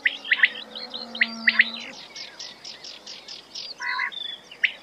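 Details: ['Quail giving short, sharp clipped notes in rapid pairs and triplets near the start, then a run of softer evenly spaced pulses and a final sharp note, over a low steady hum.']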